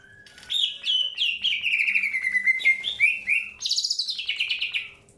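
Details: Greater green leafbird during early pairing, with a continuous run of slurred whistled notes sliding downward, then rising into a higher buzzy, rasping phrase before fading.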